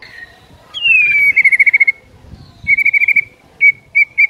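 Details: Energetic white-rumped shama singing to stir other shamas to song: a clear whistle gliding down into a fast, even trill of repeated notes, then another trill and three short separate whistles.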